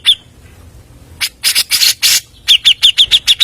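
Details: Grey-cheeked bulbul in a fast lure recording: a single sharp note, a pause, loud raspy harsh bursts, then a brisk run of about eight clear, downslurred chips.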